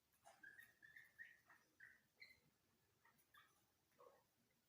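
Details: Grey francolin during a breeding session: a series of short whistled notes near the same pitch, repeated irregularly, with a few higher chirps over steady low background noise.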